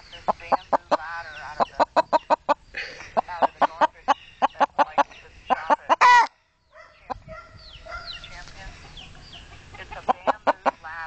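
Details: A chicken talking back to its owner with a quick series of short, sharp clucks, mixed with a woman's voice and drawn-out vocal sounds, then a loud harsh burst, a silent gap, and more clucking.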